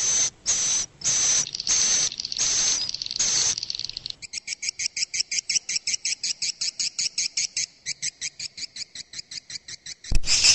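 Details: Swiftlet roosting call used as a lure for a three-storey swiftlet house: long high buzzy chirps in bursts, then a fast train of short clicking twitters about five per second.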